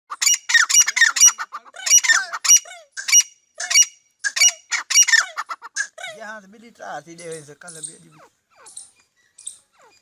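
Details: Partridge, known locally as bhora teetar, giving rapid harmonic chirped calls in dense bursts with upward-curving notes for six seconds, then low voiced sounds and scattered faint notes.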